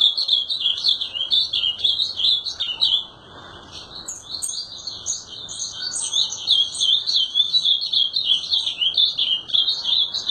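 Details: Azulão singing long, rapid sequences of high warbled notes, a brief quiet gap after about three seconds, then an energetic stream of chirps and slurred whistles.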